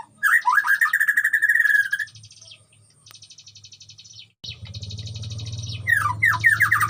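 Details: White-rumped shama singing in a colony breeding cage with wild animals around: a loud, fast rolling trill of whistled notes, a quiet buzzy pause, then downward-slurred whistles return, with low humming in the background.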